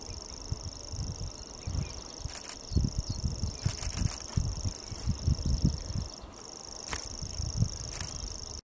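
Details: Grasshopper warbler reeling on a windy day: a continuous thin, high mechanical trill that pauses briefly near the end, with gusty low wind noise, scattered clicks and knocking sounds nearby.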